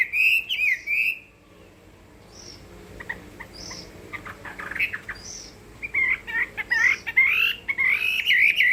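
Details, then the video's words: Chinese hwamei in fighting song (hót đấu): a warbled whistled phrase, a quieter gap with soft clicks and faint notes, then loud, wavering, melodious whistling returns toward the end. "Họa mi hót đấu hay"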